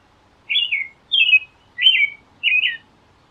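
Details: Four evenly spaced carol phrases by an American robin, each a mellow whistle sliding down in pitch, with short silences between them.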